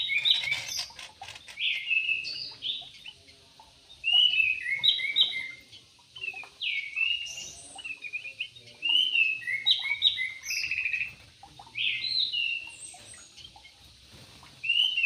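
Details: Javan pied starling song: a long run of quick chirps and warbled, slurred whistles, loud bursts alternating with softer stretches and short pauses.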